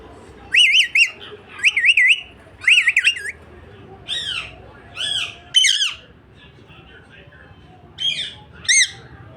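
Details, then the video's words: A pet parrot in a small room gives bursts of loud, rapidly wavering warbled chirps, several in quick succession, then single sharp descending squawks separated by pauses of a second or more. "Chirping birds"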